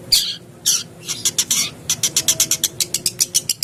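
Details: Long-tailed shrike sound used as a lure to make cage birds call: a few harsh, scratchy notes, then an evenly paced series of short bright chips.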